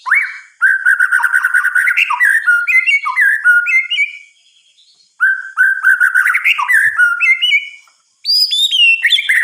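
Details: White-rumped shama singing at night, with rich, fast warbled phrases of rising and falling whistles, a short pause, then more varied melodic runs ending in high clear notes.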